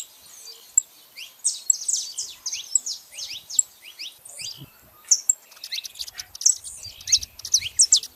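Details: Wild saffron finch vocalizing outdoors: high, quick downward-sweeping chirps in loose bursts, growing denser in the second half, with a little faint low rumble behind.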